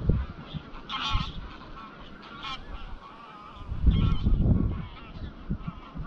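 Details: Greylag goose flock, about 200–300 birds, heading at dusk from grazing land to Llyn Maelog, Anglesey; scattered honks, a couple of sharper, higher calls near the start, then a burst of wind rumble.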